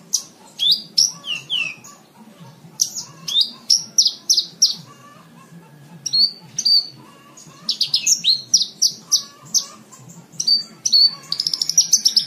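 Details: Tutor song of a branjangan (Javan bush lark) for training cage birds: lively high-pitched phrases of chirps and slurred notes, ending in a rapid stuttering run of repeated ticks.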